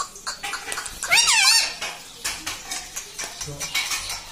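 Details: Pet talking parrot at home giving one loud, wavering, harmonic squawk that rises and falls over half a second, surrounded by clattering dishes and soft household noise.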